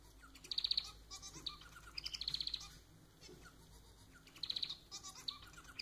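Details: Domestic society finch (manon) repeating short high buzzy trills of several quick pulses, three main bursts spaced by softer chirps and quiet pauses.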